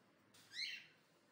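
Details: Indian ringneck parakeets at play give one short, bright call lasting about a third of a second. It has stacked harmonic bands that rise and then dip, set over a faint steady hiss.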